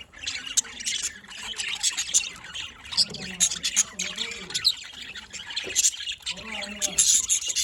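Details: Afternoon budgerigar song in Larkana, Sindh: steady high chirping and scratchy warbling, mixed with low murmuring voices throughout.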